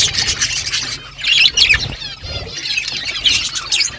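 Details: Budgie flock in the morning exchanging calls: wavering, warbled chirps and squawks overlapping from several birds, rising and falling in short bursts.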